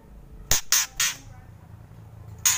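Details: White-rumped shama giving kretekan, its harsh crackling calls: three rasping bursts in quick succession, then a pause and a fourth burst near the end, over a low indoor hum.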